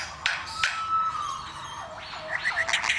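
A lyrebird mimics construction noises: sharp mechanical clacks, a steady drawn-out whine, then quick rasping, grinding bursts, all in a three-second stretch.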